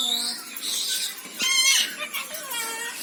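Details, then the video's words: Red-breasted parakeet (moustached parakeet) calling with rapid, nasal, buzzy squawks rich in harmonics, a louder rasping burst midway, then short downward-sliding notes. "Suara Kicau Burung Betet/Bayan Biasa"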